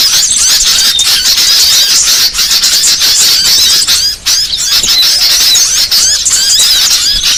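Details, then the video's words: Small-bird lure call, a crowded, nonstop chorus of thin, piercing chirps and wavering whistles, with a short drop in loudness midway before the twittering resumes. "Suara paling ampuh pikat segala jenis burung kecil"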